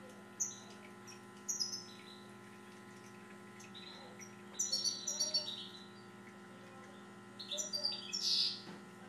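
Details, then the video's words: Siberian goldfinch delivering three separate bursts of sharp, high, tinkling twitters with quiet gaps between them, against a steady droning hum. "my seberian goldfinch"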